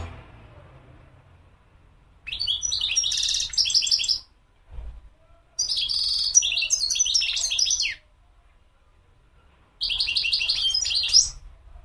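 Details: European goldfinch song in three long bouts of fast, jingling twitter mixed with harsh buzzy notes, separated by silent gaps of about two seconds; a short low thump falls between the first two bouts.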